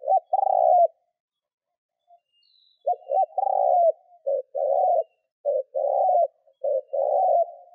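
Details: Spotted dove kept as a decoy, giving urging coos to lure wild doves: low rolling coo, a pause, then a run of quick short-long hollow phrases.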